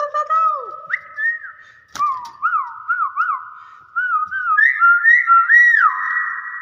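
A Nias hill myna gives loud, clear whistles, short rising-and-falling notes repeated about twice a second over a steady held tone, with a person speaking faintly.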